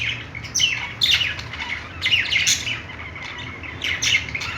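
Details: Budgerigars at play give scattered chirps and sweeping squeaky notes, a few louder calls standing out above a low hum.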